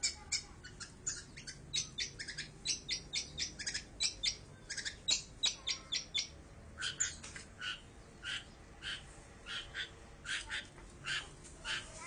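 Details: Long-tailed shrike song captured with an Android phone: steady stream of crisp, high ticking and chipping notes, fairly evenly spaced, sometimes bunched into rapid bursts, for about twelve seconds.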